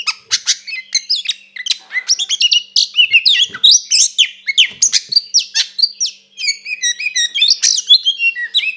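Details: White-rumped shama in full fighting song, intended to make another shama aggressive: a long, fast medley of sharp notes, buzzy clicks and whistled slurs, pulsing steadily for nearly nine seconds.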